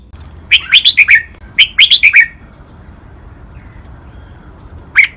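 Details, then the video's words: Red-whiskered bulbul, a captive bird, singing Pa La-u style doubled phrases for teaching other birds to copy: two quick bursts of five bright, warbled notes about a second apart, then a single sharp note near the end. "นกกรงหัวจุก | รวมเสียงร้องเบิ้ล 23 นับดอก แม่บท ลากหวาย เพลงป่าละอู"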